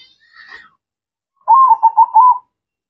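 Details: Zebra dove (perkutut), a local bird singing actively: one low, soft cooing phrase of rapid broken notes ending in a longer held coo. A faint higher chirp comes just before it.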